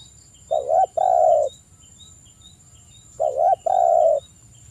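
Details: Spotted dove cooing energetically, played as a lure for other doves. Two matching phrases roughly three seconds apart, each a wavering coo followed by a longer, steady, mellow coo. Faint high ticking sounds in the background.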